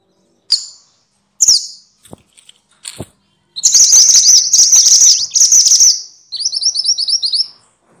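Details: Scattered high call notes from minivets (mantenan or sepah) are followed by a loud, continuous, shrill buzzy chatter, then a brisk series of short, rising whistles. The recording serves as fill-in training for songbirds.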